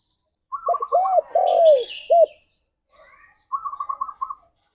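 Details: Spotted dove song meant as a morning mating lure: a short sequence of low arched coos and one long descending coo, overlapped by a rapid series of higher chirping notes from another bird at the start and end.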